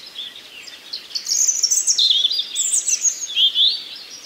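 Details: Common nightingale singing in a forest among other birds; a run of high, sweeping, warbled phrases rising and falling, with brief breaks between bursts and a steady hiss behind.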